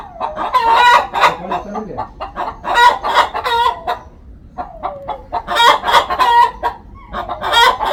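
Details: Laying hen before an egg: quick, uneven clucks, about three a second, punctuated by loud, strained squawking cackles, with a few low falling notes in between.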